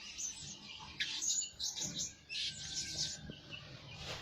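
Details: Blue-crowned hanging parrot kept as a lure bird that calls day and night. Thin, high-pitched chirps and squeaky notes come in short bursts, some rapid and trilled, over a faint, steady background hiss.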